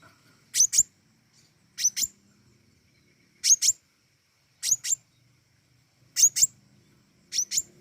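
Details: Flowerpecker singing vigorously: very high, sharp paired notes, a quick double 'tsit-tsit', repeated about every one and a half seconds, six pairs in all, clear over a quiet background.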